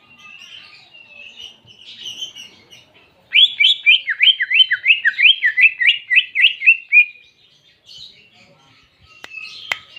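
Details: Greater green leafbird song with canary-style imitation: soft warbling, then a fast clear series of about fifteen sharp, downward-slurred whistled notes in a steady run, followed by quieter twittering and two clicks at the end.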